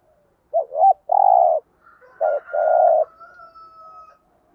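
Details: Thổ-voiced spotted dove cooing to get decoy doves to answer. Two low phrases, each a quick wavering note and then a long burry coo, about a second and a half apart. A faint thin whistle sounds in the background.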